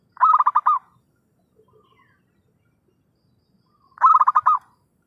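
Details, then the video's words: Zebra dove calling as a trapping lure: a fast, stuttering series of mellow coo notes, then a long quiet pause and a second matching burst about four seconds later. "suara pikat perkutut gacorr....!!"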